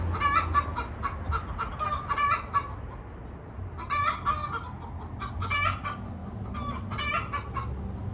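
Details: Several wild hens in a ranch yard, four laying hens competing to lay in the same single nest; repeated loud clucks and cackles in bursts, with low background rumble.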